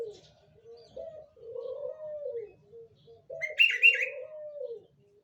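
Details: Spotted dove cooing, used as a lure to attract other doves: a series of low, hollow coos of varying length, with a brief higher twittering chirp from another bird partway through.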